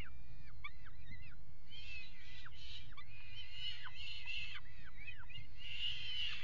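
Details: Peregrine falcon pair mating on the edge of a nest box on a water tower in Axel, 5 February 2018: bursts of harsh, wavering, down-slurred calls repeated through the clip over a steady low rumble.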